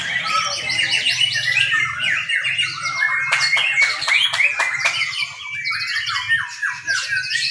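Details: White-rumped shama singing hard at a practice bird-singing contest in Indonesia: a dense, continuous stream of fast varied whistles, buzzy trills and sharp clicking notes across high pitches, with a low steady hum underneath.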